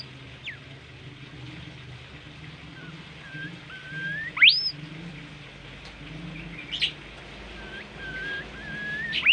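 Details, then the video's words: Kept Bimoli songbird in a tutor recording: soft level whistles mixed with loud upward-sweeping whistles that climb steeply, plus sharp high chips, with low rumbling background noise throughout. "masteran merdu burung bimoli gacor"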